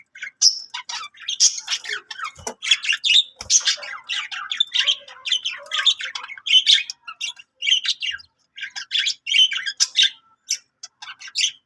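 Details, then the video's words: Long, busy budgerigar chatter: dense volleys of clicks, chirps and squawks with almost no breaks, briefly easing before a second rush of twittering. "singing budgie budgie sounds |budgie voice Love budgie parakeets chirping sounds"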